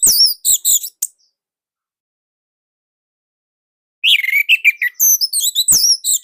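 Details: Loud, tightly woven song of an Indonesian orange-headed thrush, used as master song for training: a second of high chirps, a pause of about three seconds, then a rich run of buzzy and whistled notes climbing to very high pitch.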